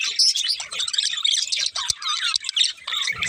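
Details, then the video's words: Budgerigars, more than one, chirping in a busy warbling chatter of quick squeaks, rising and falling twitters and short scratchy notes, almost without pause. Faint low knocks appear near the middle. "Cute Budgies Chirping Sounds"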